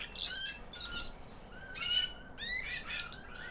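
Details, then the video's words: White American Singer canary hen, proven 2009, singing after her molt: high sweet whistled notes and slurred upsweeps in short bursts, a steady faint tone in the background. "Singing canary FEMALE - Proven 2009 American Singer white hen"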